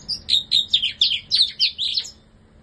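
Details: Bar-winged prinia kept in a new cage, singing a quick series of about seven loud, high, scratchy chirped phrases in steady succession before falling silent.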